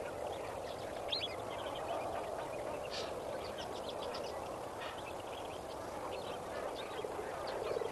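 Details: Lesser flamingos at dawn at Kamfers Dam, 18 May 2024, gabble in a thick chorus, clusters of clipped honks rising from a steady murmur, one sharp louder call about three seconds in.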